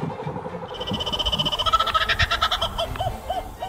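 Laughing Kookaburra bursts into its raucous laugh: rapid, hooting chuckles that quicken and swell into loud repeated cackles, about three notes a second.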